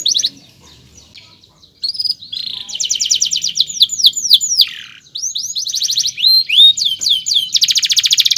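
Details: Canary delivering a lengthy chirping song for tutoring young canaries: after a near-silent start, buzzy rolls, steady rapid trills and clusters of sharp sweeping whistles alternate, closing with a loud fast trill.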